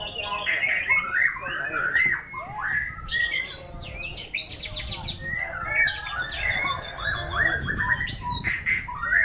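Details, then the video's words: Performing white-rumped shama delivering a fast, rich medley of bright whistles, slurred rising and falling notes and dry rattling bursts, phrases tumbling one after another without pause. "Aksi MURAI BATU SNIPER memukau ngeplay dengan irama lagu mewah"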